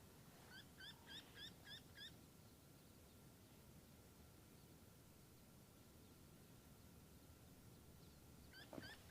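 A Red-throated Wryneck gives a quick run of about six nasal, ringing notes, roughly three a second, then starts another run over a steady faint hum and low rumble.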